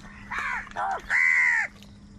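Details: A loud, angry crow call during a fight over food: two quick harsh caws, then one drawn-out, nasal, slightly falling caw lasting about half a second.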